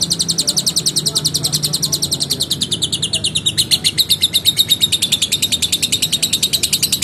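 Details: A singing lovebird gives a long ngekek: rapid, high, rasping chirps that slide lower, then rise again and run on at an even, fast pace for seven seconds.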